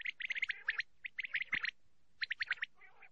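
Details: Common quail calls played to lure birds for netting: quick bursts of three to five bright, sharp, high notes, repeated after short pauses over a faint background hiss.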